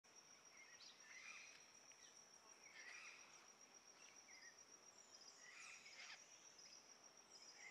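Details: Crimson-fronted Parakeets at Rancho Naturalista, Costa Rica, on 10 April 2024, give harsh, scratchy screeches in a few bursts a couple of seconds apart, over a steady high insect whine.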